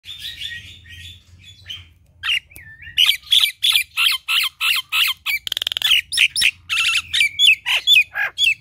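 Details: A Nias hill myna in full, energetic song pours out loud, harsh squawks mixed with sharp whistles and chattering notes, about three or four a second, over a faint low hum.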